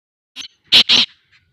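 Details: Black francolin (kala teetar) calling in Sindh, Pakistan: a faint short note, then two loud, harsh, grating notes in quick succession, the second slightly longer, with a soft trailing note after a pause.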